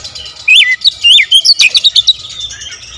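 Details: Oriental magpie-robin giving a quick run of varied song: two swooping whistles, then a fast string of bright chirped notes about six per second, fading at the end.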